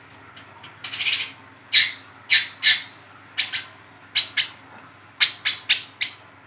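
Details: Young speckled brown-throated sunbird, wiceh trotol, calling in the lively ngeriwik style, used as a lure for training cage birds; sharp, high chirps and thin whistled notes in irregular bursts, some clustered in quick pairs and triplets.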